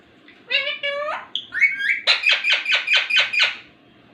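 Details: Ringneck talking parrot utters two stacked, voice-like harmonic syllables, a rising slurred whistle, then about eight rhythmic, evenly spaced chattering pulses, indoors.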